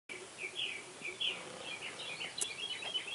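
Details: Purple martin nestlings on their first day, in Spring Branch, Texas, giving thin, high chirps and short squeaky notes, some slurred, repeated irregularly over a steady background hiss.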